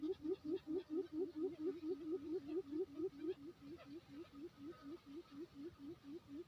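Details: Quail from Lombok island, Indonesia, singing a lure song: fast, evenly paced short low pulsing notes, roughly two each second, fading slightly toward the end, with faint background noise.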